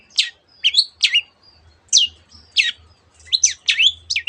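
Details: Long-tailed shrike imitating canary and other birds, giving separated sharp whistled notes that sweep down and up, some slurred into quick double chirps, about two per second over a faint low hum.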